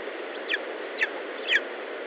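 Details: Lesser spotted eagle at an Estonian nest, July 2012 morning: three quick, piercing, down-slurred yelps about half a second apart, the last strongest, against constant broadband hiss.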